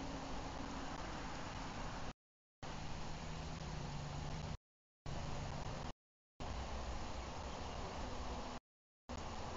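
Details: Low engine-like rumble and hiss, cut by several short complete silences, with no animal calls.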